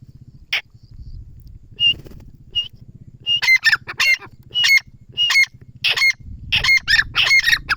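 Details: Grey francolin giving a few faint calls, then a loud run of harsh, ringing repeated notes about once a second, over a low rumbling background hum.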